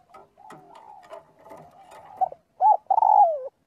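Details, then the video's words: Spotted dove calling the flock, cooing in daily voice practice; soft muffled notes at first, then three loud coos near the end, the last a long falling note. "tiếng chim cu gáy gọi/chim cu gáy gọi bầy luyện giọng mỗi ngày"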